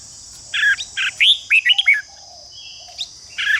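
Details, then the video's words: Red-whiskered bulbul singing to incite rival birds to fighting song: two harsh buzzy notes, then a quick bright rising whistle and fluttering warbled notes, a short silence, and another buzzy note over a steady shrill drone. "Chào mào ché kích thích chào mào đấu giàn căng lửa/đấu giàn lên lửa tốc độ/kích chim hót đấu"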